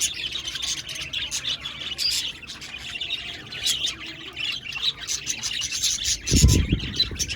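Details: Several budgerigars, 1 November 2023, chatter in a continuous high warbling chorus of chirps and squeaks; a dull low thump breaks in near the end.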